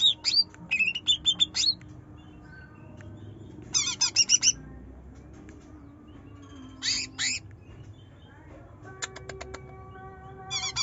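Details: Greater green leafbird in gacor, nyerecet trotol singing style, used as a lure to prompt a reluctant bird to sing: short bursts of very high, rapid, chattering trills, separated by quiet gaps, over faint low background hum.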